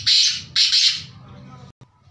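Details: Black francolin calling: two loud, harsh, grating notes in quick succession, each about half a second, followed by quieter background rumble.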